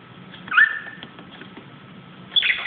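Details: A pet budgerigar, acting wild on top of a cupboard, gives two short, bright chirps about two seconds apart over a faint steady hum.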